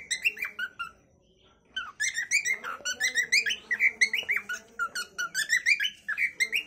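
A cockatiel sings a fast run of chirpy, warbling whistles with rising and falling notes, about three per second, after a brief pause near the start.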